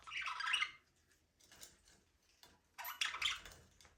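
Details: Budgerigars, Australian parrots flying and playing in a small aviary, give two bursts of harsh, buzzy chattering chirps about three seconds apart, with quieter scratchy notes between and no music.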